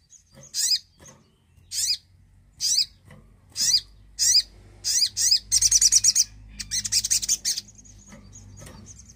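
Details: Javan cochoa song played to prompt silent birds to sing: high, sharp zigzag notes in short bursts roughly once a second, then a fast run of buzzy rattling notes and a thin sustained whistle, with faint low hum.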